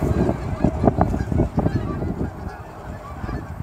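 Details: Canada geese, hundreds leaving the ponds for grain fields near Dawson Creek airport just after sunrise in fall; quick, loud overlapping honks dominate at first, then fade toward the end amid wind noise.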